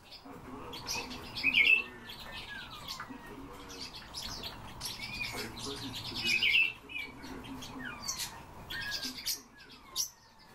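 Soft, falling piped whistles of Eurasian bullfinches, with two brighter notes about five seconds apart, over a busy chorus of other small birds chirping.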